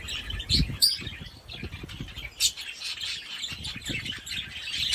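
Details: A golden-face violet clearwing budgerigar chatters with busy, scratchy warbles and chirps, punctuated by soft low thumps.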